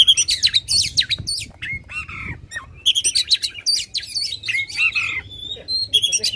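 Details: Loud oriental magpie-robin song used to stir up contest birds: rapid, high, piercing whistled phrases, sweeping up and down, mixed with scratchy notes over a low background hum.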